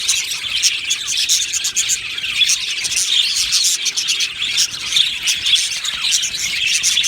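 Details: Budgerigars in an aviary colony, singing and chirping together: a dense, continuous wash of high, rapid twittering and chirps with no pause, many birds overlapping.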